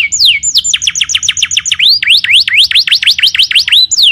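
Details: Masteran recording of canary song for other birds to learn, with quick looping whistles that swoop down and up, repeated in a steady run of v-shaped notes.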